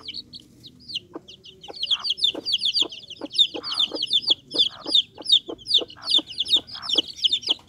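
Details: Bangkok chicken chicks chirp in thin, shrill, downslurred notes that build into a steady crowded chorus after a quieter start, with regular sharp tapping knocks throughout.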